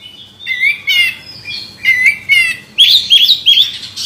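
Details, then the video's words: Oriental magpie-robin, a champion with past contest wins, repeats buzzy rattling phrases with steady whistled notes every half second, then bursts into faster looping high whistles at the end. "Kacer Jawara Pernah Prestasi"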